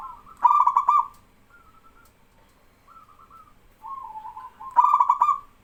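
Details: Male local zebra dove in strong song, prompting other doves to call back: rolling, mid-pitched trilled coos, with softer answering coos in the pauses.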